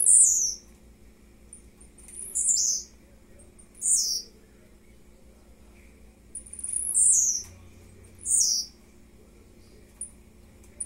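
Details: Blue-black grassquit singing on 30 May at 10:50 in the morning: short, high, buzzy notes that slur sharply downward, given in irregular bursts every one to two seconds over a faint steady hum.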